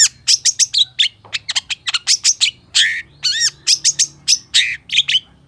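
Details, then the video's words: Rapid, chatty gacor full isian song from a long-tailed shrike: bright, clipped notes repeated several times a second, broken by one longer rising, ringing phrase near the middle. "SUARA PENTET GACOR FULL ISIAN || CENDET GACOR"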